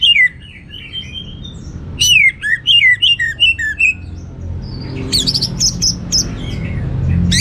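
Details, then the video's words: Orange-headed thrush singing in the lively gacor teler style with rich material: slurred whistled notes falling and rising, a burst of quick repeated phrases, then a pause and high sharp chirps, over a low background hum. "Suara Gacor Burung Anis Merah Teler Materi Melimpah"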